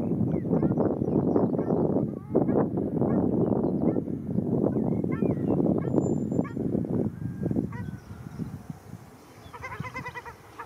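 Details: Ruddy shelducks fighting in Arucas, Gran Canaria, 13 February 2021: rapid nasal honks over heavy scuffling, easing toward the end, when a faint high chattering bird is heard.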